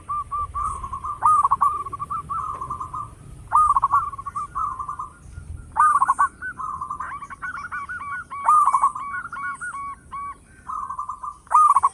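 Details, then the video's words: Local zebra dove singing loudly, a song used to lure other birds: repeated bubbly, trilled cooing phrases at mid pitch, each ending in short rolling notes, with brief sharp high clicks between phrases. "Perkutut lokal gacor suara besar bikin gempar bunyi seteras cocok buat pancingan"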